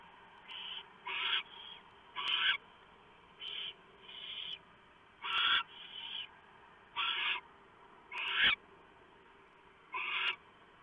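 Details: Barn owls at a nest at 3:59 AM on 3 November 2015, as the male delivers a huge mouse and the female shreds it for the owlets. Harsh, breathy hissing bursts, some doubled, come about every second over a steady low hum.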